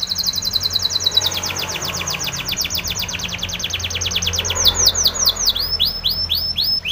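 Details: Spanish Timbrado canary singing a training song: rapid runs of sharp, high, downslurred notes repeated in fast trills, shifting midway into slower, clearer looping notes, with a faint low background hum.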